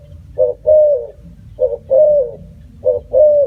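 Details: Spotted dove calling three times in quick succession, each a short coo followed by a longer level coo, nearly one phrase per second, low hum beneath.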